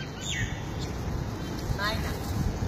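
A myna gives a quick falling whistle, then a short burst of rapid, bright stacked notes, over a steady low rumble of background noise.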